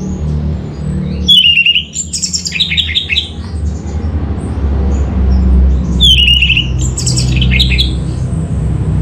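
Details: Orange-headed thrush, a lure song to get other birds singing. Two bursts of varied song: a sharp descending whistle followed by rapid warbled and buzzy notes, repeated about five seconds apart over a steady low hum.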